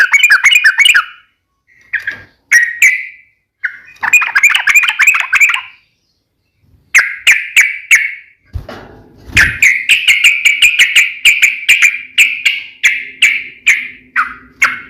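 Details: Sooty-headed bulbul (trucukan) delivering a lively, varied song: bursts of rapid bubbly warbling broken by short pauses, followed by a long steady run of loud sharp chirps with a faint low hum behind.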